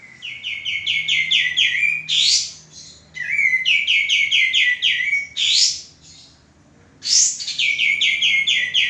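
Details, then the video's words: Singing male common iora, a caged bird used for song training: quick trills of clear chirping notes interrupted by loud rasping buzzes, phrases repeated after brief silences. "suara burung kapas tembak jantan gacor"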